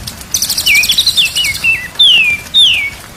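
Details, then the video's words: White-rumped shama singing on a training recording used to make kept birds sing keenly: a high rattling chatter, then a string of short wavering whistles and two long, loud whistles sweeping downward. "MASTERAN MURAI BATU SIANG dan MALAM DI JAMIN BURUNG JADI GAGOR"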